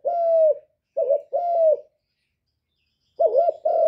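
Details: Spotted dove coos: a long steady hollow note, then a short note and another long coo. After a pause comes a wavering double coo, all low and mellow in a quiet setting.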